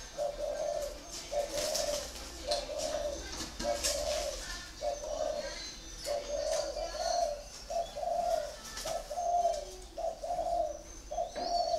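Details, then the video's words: A captive spotted dove of the long-feathered "thổ áo đỏ" type, kept in Ba Vì, Hanoi, coos in low, soft, hollow notes, repeated in a steady run about once a second, with faint chirps of other birds behind. "chim thổ áo đỏ"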